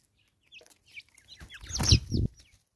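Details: Natal spurfowl (Natal francolin) in South Africa giving its raucous call: a loud, harsh, grating burst swelling over about half a second before cutting off abruptly, preceded by scattered thin, high chirps from small birds.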